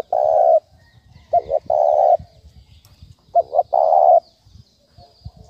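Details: Spotted dove calling as a lure for trapping: low coos given as a quick double note followed by a long rough coo, heard in two phrases over faint low background rumble.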